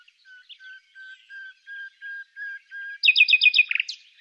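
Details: Common nightingale song recorded during a survey: eight slow, pure whistles rising gradually in loudness, then a sudden fast run of sharp, repeated chirping notes and a final twisting flourish.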